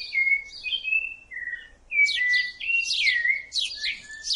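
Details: Continuous rufous-bellied thrush song: clear whistled notes gliding down in pitch, then a burst of dense, buzzy, chattering phrases after a short quieter gap.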